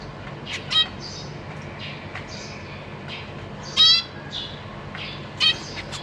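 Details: Zebra finch family kept in a cage, 14 April 2023, parents busy feeding young: faint high chirps throughout, with two louder buzzy stacked beeps near the middle and end.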